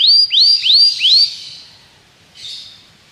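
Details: Belgian canary phrase from a canary training recording: four quick rising whistled notes in succession, fading out, followed by a brief soft buzzy note.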